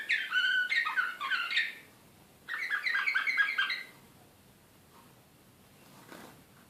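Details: Serbian Slavujar canary, Belgrade 2016, excited: two bursts of rich trilled song, each about one and a half seconds with bright whistled and rattling notes, then near silence with only a faint click.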